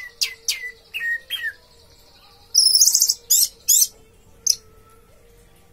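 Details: Orange-headed thrush (anis merah) singing in its teler style: a few clear whistled notes that slide downward, then loud, dense, buzzy bursts of very high-pitched chatter, with a faint steady hum underneath.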